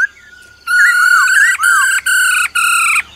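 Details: Black-throated laughingthrush in forest-style song alongside the female's trilling: a soft level whistle, then loud ringing rich-toned whistles with looping slurs, broken into three sustained phrases.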